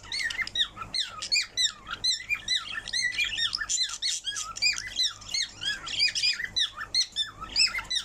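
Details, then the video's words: Indoor parrot song: dense bursts of squawky, high whistled syllables with looping pitch slides, repeated rapidly and overlapping in a busy, energetic phrase. "Parrot Singing"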